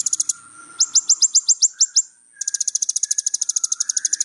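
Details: Little spiderhunter song for tutoring young birds: a short high trill, then about ten sharp downslurred notes evenly spaced, followed by a long, fast, ringing rattle, with a faint lower hum beneath.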